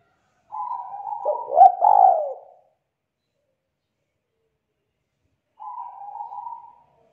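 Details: Young wild-caught spotted dove singing the two-note 'kuk 2' style, thick, loud and melodious: a low cooing phrase with a louder rolling middle, a long pause, then a shorter flat coo, in quiet surroundings.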